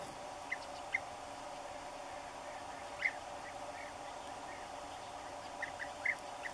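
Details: European bee-eaters at a nesting site while feeding chicks give short, rolling 'prruip' calls, scattered singly and in pairs a few seconds apart, over a steady low background hum.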